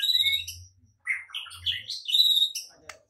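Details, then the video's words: White-rumped shama song played to provoke singing and fighting: high whistled notes and rising phrases in bursts separated by short pauses, with a faint low hum at times. "Murai batu LANGSUNG TARUNG dan IKUT GACOR dengan pancingan seperti ini"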